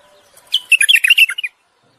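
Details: Common bulbul singing to mate and stimulate the female's readiness to breed: one brisk one-second phrase of rapid, chattering, warbled notes, bright and tightly packed, against a silent background.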